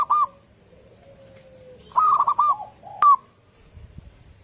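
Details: Morning lure song of a local zebra dove: a short coo, a run of four or five rolling, looped notes, then a single sharp bright note, with faint low coos in between.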